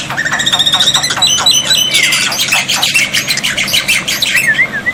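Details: Black-winged myna tutor recording meant to prompt silent mynas to answer, paired with water therapy: dense harsh squawks and rapid chattering notes mixed with bright whistled phrases, busy and overlapping throughout, with a steady low hum beneath.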